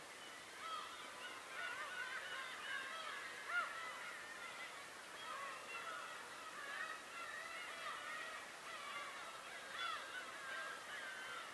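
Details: Crowded bird chorus on Tobishima, many nasal, wavering calls overlapping without pause, one sharper cry standing out, over a steady background rush.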